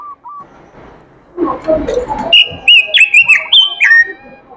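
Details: An oriental magpie-robin sings after a noisy, murmuring start: a fast string of clear, looping whistled notes follows, roughly seven phrases in two seconds, with faint lower chirps underneath.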